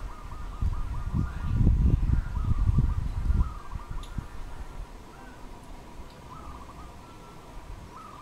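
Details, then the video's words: Wild dove in Cambodia, recorded 1 May 2020: short bursts of rapid, rolling coo notes repeat several times, partly covered early on by loud low rumbling from handling or wind. "សត្វលលក | Dove"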